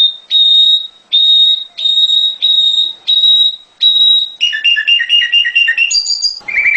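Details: Mountain prinia song played as a lure for caged birds: a run of even, pure high whistles, each about half a second long and repeated about once a second, then a quick warbling chatter and a higher ending note.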